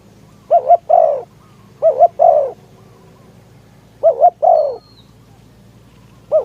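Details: Spotted dove used as a decoy to attract wild doves, in strong wind: mellow coos, each a short paired note followed by a drawn-out descending croo, given three times with pauses between.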